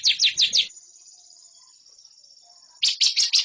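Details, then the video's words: Lovebird training song for competition birds: a short burst of four quick harsh chirps, then a thin, steady high whine for two seconds, then another run of fast rasping chirps. "MASTERAN LOVEBIRD"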